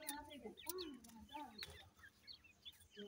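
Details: Grey francolin chicks feeding: a stream of thin, high, rising peeps over soft, lower, rounded clucking notes, several overlapping at an irregular pace, with faint background noise.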